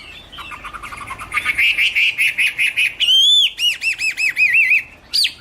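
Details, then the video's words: Chinese hwamei (Garrulax canorus) song opening with soft rapid notes that swell into loud repeated whistled syllables, then arched looping whistles and a fast trill of rising-falling notes. "Birds Garrulax canorus: Singer yellow mouth - wonderful birdsong"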